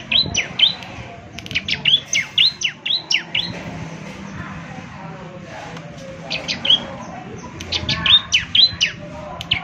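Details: Bar-winged prinia in full semi-mature song, played mornings to coax others into answering. Sharp, high, down-slurred chirps in quick bursts separated by a quieter stretch, over low background noise.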